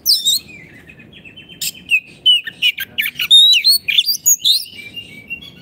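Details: Oriental magpie-robin in energetic 'gacor' song for masteran of silent caged kacer: a dense run of sweet whistles, rising slurs and harsh chattering notes delivered quickly, with a soft steady hum underneath.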